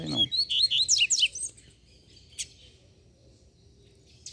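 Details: Free-flying female Double-collared Seedeater, at first mistaken for a young male, gives a quick burst of high, twittering, slurred notes for about a second, then near silence with a couple of faint chips; a brief low voice at the start.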